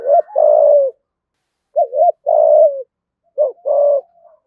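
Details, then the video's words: Spotted dove giving a luring call to provoke fighting, a phrase repeated about every one and a half seconds: a brief double coo followed by a longer, level, low coo. "Tiếng chim cu gáy thúc đấu và gáy gọi kích bổi nhanh nổi"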